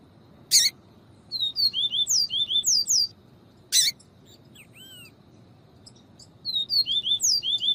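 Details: Viviti-style song of a double-collared seedeater, used alongside female calls to warm up and teach a male: two bursts of rapid, high, descending whistles, each introduced by a sharp broadband chirp, with a thin upslurred note between.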